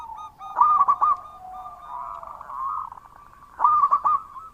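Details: Loud local zebra dove in full song. Two bright groups of four crisp coos sound about three seconds apart, with a soft rolling trill filling the gap between them.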